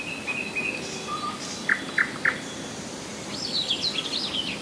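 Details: A common nightingale sings in July 2011 at Rassudovo, about 40 km from Moscow: three loud, evenly spaced notes, then a quick run of high, varied warbles over a steady outdoor hiss.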